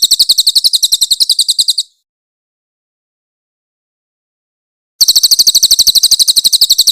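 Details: Loud, clear master song of a grey-headed canary-flycatcher (cililin), given in harsh rapid bursts meant for training songbirds: a quick string of high, sharp repeated notes, three seconds of silence, then the rapid chipping resumes.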